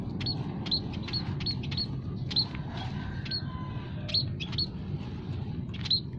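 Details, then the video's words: Aviary munias of several kinds, scaly-breasted and Javan among them, calling as a trapping lure: a rapid run of sharp, high, clipped chirps, roughly two per second, over a constant low hum. "burung emprit kaji,emprit peking,emprit jawa full masteran kicau pikat paling ampuh"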